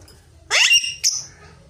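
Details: Rose-ringed parakeet screeches once, harsh and rising, then adds a brief shrill high note, with a steady low background hum.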